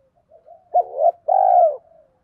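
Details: Spotted dove decoy call aimed at wild males: faint low murmurs, a short two-part coo, then a long level buzzy coo trailing into a soft tail.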